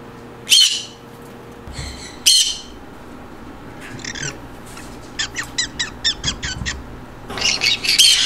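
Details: Indoor green conure with two loud rasping screeches, a quieter stretch of clipped notes, then a quick series of short repeated squawks ending in another burst of harsh screeching; meant to lift birds' mood.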